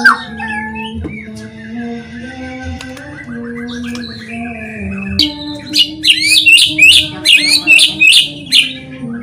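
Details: White-rumped shama song for triggering other shamas to sing: a soft, indistinct opening, then a bright series of high, sharply repeated whistled notes roughly three per second, over a steady low hum.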